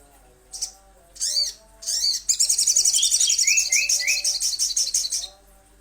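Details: Little spiderhunter lure recording: a few separate swooping high notes, then a dense three-second run of rapid chattering chips joined by lower rising whistled notes.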